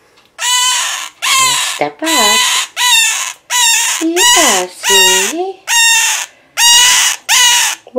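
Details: Male scarlet-chested parakeet, a month younger than his mate Kiku who sits beside him, gives about ten loud, harsh, buzzy half-second cries in a quick, insistent series; he habitually cries while stepped up, and the owner is unsure why. June 15.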